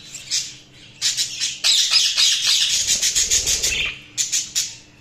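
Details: Budgerigar chirping: a soft opening note, then a long run of quick harsh chatter and squeaks, with a low rumble midway and a few final chirps.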